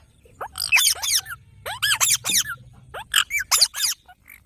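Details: Green parrot screeching in rapid, grating bursts of arched, harsh notes, about three groups over four seconds, with a faint low hum beneath.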